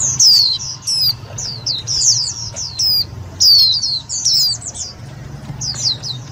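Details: Indian white-eye lure sound for trapping and stimulating others of its kind: clustered high descending chirps in bursts about every second, loud and clear, with a faint low hum.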